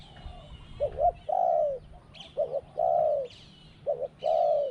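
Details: Contest-calling spotted dove with a small voice, two 'kuk' and a 'ku-ang' ending: three repeated phrases of a short paired coo and a held, slightly falling coo, with light high twittering and low rumble behind.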